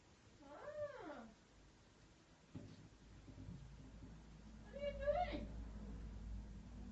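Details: An Alexandrine parakeet gives two drawn-out, rising-then-falling, meow-like calls about four seconds apart, with a low room hum between them.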